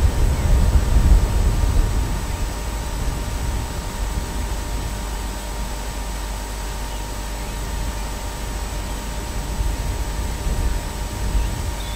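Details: Steady low rumble of wind or engine-like noise with faint hum, and no animal calls.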